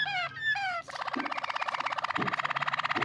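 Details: Yellow Waterslager canary sings two long falling whistles, then breaks into a fast, even, rolling trill of rapid pulses; faint low knocks behind.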